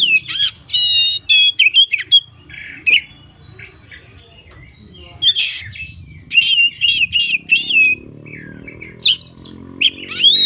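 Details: In the morning an oriental magpie-robin sings a rich, varied song. Ringing, harmonic-rich whistles alternate with rapid trilled wavering notes and sharp chips. A brief series of repeated up-down warbles stands out, set over a faint low hum.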